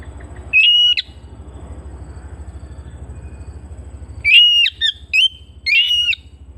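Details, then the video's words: Home-kept Oriental magpie-robin whistling one clear phrase, then after a pause a rapid trio of strong, level whistles with twangy upward tips. A steady low hum drones throughout. "Terapi Burung Kacer Rumahan"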